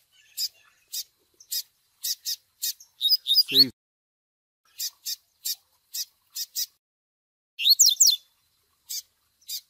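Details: Double-collared seedeater chick cries paired with Tui Tui Zel Zel song to train a male: scattered harsh high chips, a short burst with a low buzzy tail, and later a fast cluster of sweeping whistled notes.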